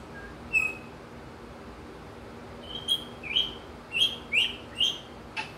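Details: Pet African grey parrot over a year old, outdoors on his morning routine, imitating wild birds: a sustained whistle, then a run of short, sharp, rising chirps repeated roughly every half second against a steady low hum.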